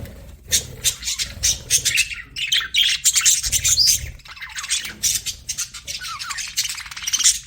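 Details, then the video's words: Pet budgerigars chattering busily, with a dense stream of rapid, scratchy chirps and warbled squeaks running almost without pause, some buzzy notes mixed in, over a faint low hum. "CUTE PET BUDGIES"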